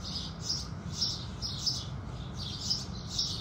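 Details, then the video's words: Sunrise singing of house sparrows: six clear, high chirrups in quick succession, evenly loud, over a faint low rumble. "Sparrows Sound Effect | Sparrow Sounds | Beautiful Birds Singing | Sparrow Calls"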